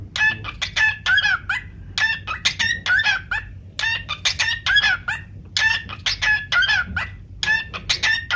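A cockatiel sings bursts of bright, harmonic whistled notes, grouped into repeated phrases with short pauses.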